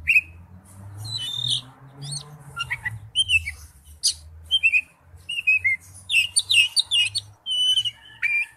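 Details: Oriental magpie-robin singing wild-type song at moderate volume: varied whistled and slurred notes with quick chips, growing busier toward the end, over a persistent low droning hum.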